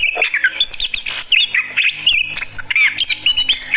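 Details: Oriental magpie-robin of fighter type in reaction: short choppy bursts of chirps, squeaky whistles and scratchy notes, about one burst every second, over a faint low hum.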